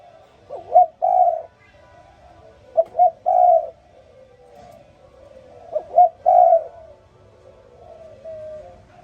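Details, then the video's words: Spotted dove calling in the morning: three phrases, each of quick short coos followed by a longer mellow croo, repeated about every two and a half seconds in a quiet setting. "Sound Spotted Dove ln The Morning So Beautiful"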